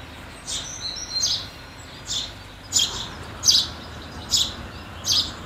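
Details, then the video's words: House sparrows feeding around the New Year of 2022, giving short bright chirps in a loose series, roughly one every second, each a brief burst high in pitch, over faint steady background noise. "House Sparrow Sound in 2022"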